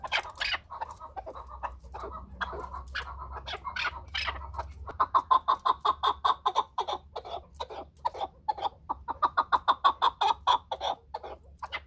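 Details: Chukar partridge: irregular scratchy notes give way midway to an even run of sharp, clucking chucks repeated roughly twice a second, with a faint low hum beneath.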